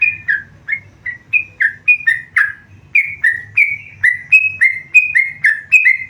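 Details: Tame yellow-vented bulbul singing vigorously: a rapid run of loud, clear whistled notes, each bending downward, repeated about three times a second with little pause, over a faint low hum.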